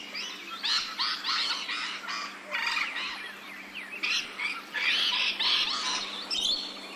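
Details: Rainbow lorikeets in Australia, ambisonic surround sound: dense, continuous harsh screeching, rapid grating bursts tumbling one after another, growing louder and more crowded in the second half, with a few sharper squeaks near the end.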